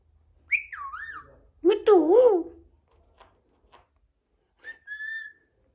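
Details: Green Alexandrine parakeet talking: two squeaky, speech-like phrases with wavering pitch, then after a pause a short clear whistled note, otherwise quiet.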